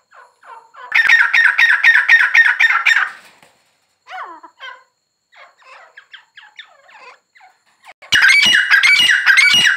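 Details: Grey francolin calling: a loud two-second series of harsh, rapid ringing phrases, a stretch of soft, wavering notes, then another loud burst of calls.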